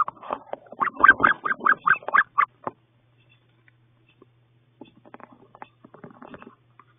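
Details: Wood duck eggs hatching in a nest box after 32 days of incubation: a rapid run of about eight loud, harmonic, clipped calls over roughly two seconds, then near silence with faint scattered rustles and soft peeps.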